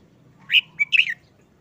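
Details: Caged red-whiskered bulbul, moulting for over a month and looking listless after its cover was lifted, gives a short, simple song phrase: three quick bright whistled notes, the last one slurred downward, over a quiet low hum.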